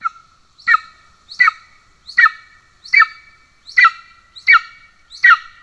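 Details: Golden eagle at a nest in Estonia, 17 July 2024, as the father arrives with a pigeon while the young is already fed: loud, sharp, downslurred harmonic calls repeated about every three-quarters of a second, in a quiet background.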